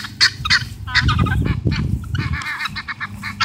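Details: Guineafowl in a front yard, yelling at a dog or person and coming to attack, give harsh, grating, rapidly repeated calls, several birds overlapping in a noisy chatter, over a low rumble of wind or handling noise.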